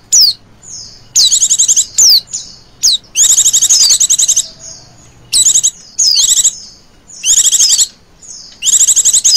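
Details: Trilling call of a female Oriental white-eye, used as a lure for other birds. Long bursts of rapid, high, buzzy trills alternate with quick down-slurred whistles. A faint low hum runs under the first half.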